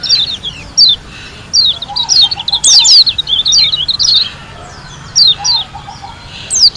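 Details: White-eye from Lombok delivering high, thin twitters and swooping whistled slurs in uneven bursts separated by short pauses, with a faint low chattering trill heard twice.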